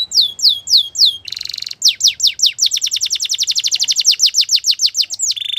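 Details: Belgian canary's morning song: repeated looping whistles, a buzzy trill, then an extended rapid chipping series, ending with a rising note and a final buzz.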